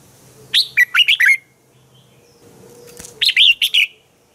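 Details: Morning song of a red-whiskered bulbul, played to train other bulbuls. Two short phrases, each about four clear, warbled whistles, are separated by a pause of nearly two seconds over a faint low hum.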